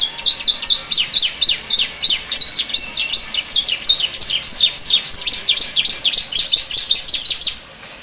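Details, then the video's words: Canary, bred as a songbird, singing in imitation of the Bar-winged prinia: a long even series of sharp high chirps, about three per second, in a steady rhythmic run that stops abruptly near the end. "Suara kicau burung kenari rasa ciblek"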